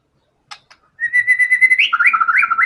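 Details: A white-rumped shama sings strongly from its learned filler repertoire. Two faint clicks lead into a long, steady whistled note that jumps into a lively warble of quick rising and falling notes. The background is quiet.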